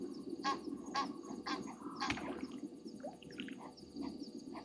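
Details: Agitated Egyptian geese calling at night at a waterhole on Djuma Game Reserve, Sabi Sand, South Africa, 27 January 2023; a few rasping honks early on, then fainter scattered notes against a constant low background drone.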